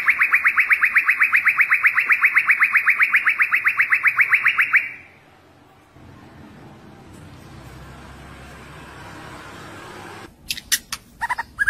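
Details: Young white-rumped shama in forest-voice training song: a rapid, regular rattling trill for about five seconds, then a low hiss and a few sharp clicks and short notes at the end.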